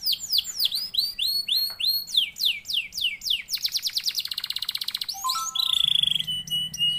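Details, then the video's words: Canary lure song, a strong singer used to provoke other canaries into singing: varied fast phrases of swooping whistled notes, a rapid rolling trill, then steady high tones and low buzzy notes, with a faint low hum beneath. "LANGSUNG NYAUT GACOR DOR KENARI MANASAJA DENGAN PANCINGAN KENARI GACOR"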